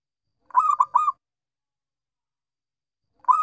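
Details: Perkutut lokal, a local zebra dove, singing gacor in bungkak style: one rolling phrase of three quick warbled coos, then silence and the start of the next phrase; no other sounds.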